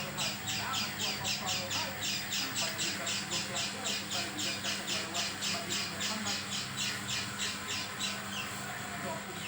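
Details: Oriental white-eye making a sound unlike its usual voice: a fast run of harsh, scratchy, high notes, nearly four per second, repeated steadily for the whole stretch over a faint low hum.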